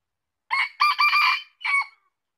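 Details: A rooster-like crow from a Red junglefowl: a brief first note, a long raspy middle and a short abrupt end. No other sound is present.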